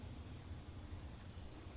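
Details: A Golden-chevroned tanager (Thraupis ornata) bathing gives a single thin, very high, sharp call note near the end, over a steady low background rumble.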